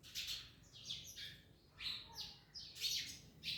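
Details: Orange-eating parrots chatter in quick, harsh, high chirps, several downward-sweeping notes following each other roughly once a second, steady and busy throughout.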